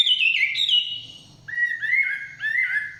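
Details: Chinese hwamei singing in the forest: a loud whistled phrase slurring downward, a brief pause, then three rising-and-falling clear whistles repeated about every half second, with a faint low hum underneath.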